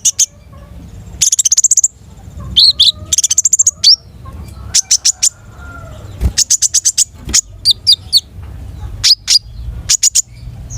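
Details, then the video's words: Rich 'gacor' repertoire from a long-tailed shrike: fast stuttering trills and clusters of high sharp notes in short bursts, with brief quiet gaps and a faint low hum underneath. "SUARA KONIN GACOR MATERI MEWAH"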